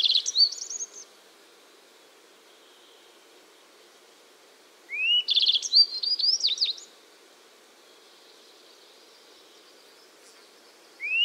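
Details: Yellow-browed bunting singing short, high, sweet phrases of rising slurred notes and quick trills, each about two seconds long, repeated every five seconds over a faint low hum.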